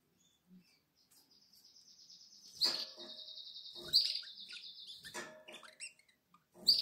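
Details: Atlantic canary chicks, seven days old, in the nest on 12 April 2022: a long, high, buzzy trilled note held steady for several seconds, broken by sharp clicks and short bursts of rustling.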